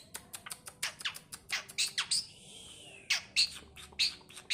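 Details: Talkative pet Asian pied starling giving rapid harsh, raspy chattering bursts and a drawn-out hissing sound, indoors.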